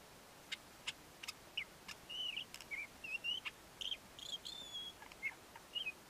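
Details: Courtship song of a male Ant-eating Chat: isolated sharp clicks at first, then a string of short warbled whistles, some wavering, a few higher thin notes, all over soft hiss.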